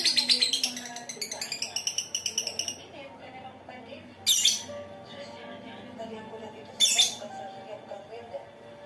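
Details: Lovebird ngekek song used as a lure to get other birds singing. A rapid, high chattering trill lasts about three seconds, followed by two short harsh shrieks over a low steady hum.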